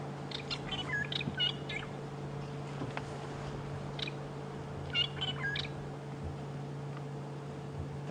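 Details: A pair of fork-tailed drongos in Sabi Sands, South Africa, on an April morning safari drive under cloudy weather, trade short, metallic, almost robotic chiming notes in scattered bursts over the steady low hum of an idling engine.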